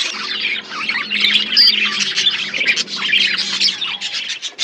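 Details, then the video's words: Budgerigars eating food in an outdoor aviary: dense, continuous chatter of overlapping harsh squawks and warbling chirps from several birds, with a faint steady low hum. "Budgies parakeet eating food in outdoor aviary birds chirping sound"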